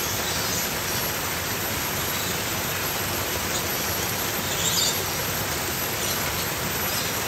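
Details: Steady rushing water noise fills the whole stretch, with no animal calls.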